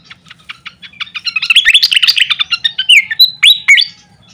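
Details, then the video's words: Pied fantail song from a songbird training recording: rapid ticking notes speeding into a dense, squeaky chatter, then bright whistled phrases that rise and fall near the end. "vokal burung srikatan kipas"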